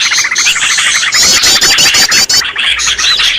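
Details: Noisy Green leafbird call used to attract birds for catching: a steady run of pulsed chirps, then a loud burst of harsh rapid trills and clicks, easing into softer scattered notes.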